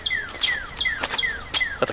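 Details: Northern Cardinal heard in the countryside near the old train station in Annville, Pennsylvania, singing clear downslurred whistles, about four per second, each sliding from high to lower pitch, with sharp ticks and clicks in between.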